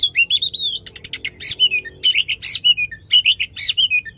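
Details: Strong, loud song of an oriental magpie-robin, used as a trigger for a magpie-robin that has stopped singing: fluted whistles mixed with rapid buzzy trills and chips in short, evenly spaced bursts.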